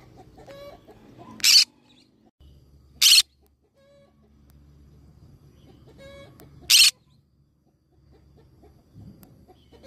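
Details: Green-cheeked conure giving three loud, harsh, very brief screeches spaced a few seconds apart, with quieter clucking bird calls and low background rumble between them.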